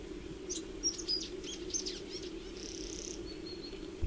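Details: Welcome swallow giving quick, high twittering chirps, then thin, drawn-out alarm whistles at the end, the alarm given while diving at people once fledged young are perched and being fed by parents, over a steady low hum.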